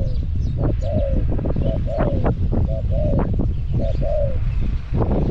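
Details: Caged decoy spotted dove luring wild doves at Song Phi Nong, Thailand, cooing steadily: paired soft hollow notes, a brief coo then a longer slightly falling one, repeated about once a second, with low wind rumble and clicks beneath.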